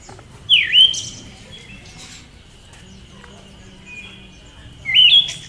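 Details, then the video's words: Siberian thrush, a female, calling twice roughly four seconds apart. Each note is a loud twisting chirp that dips and then rises. A thin steady high tone runs underneath between the calls. "SUARA BURUNG ANIS SIBERIA BETINA"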